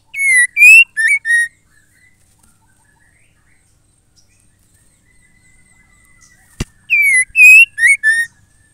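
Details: Female white-rumped shama call meant to spur males to sing. A burst of three buzzy, bent notes is followed by a long silence, a single sharp knock, then four more harsh notes in a row.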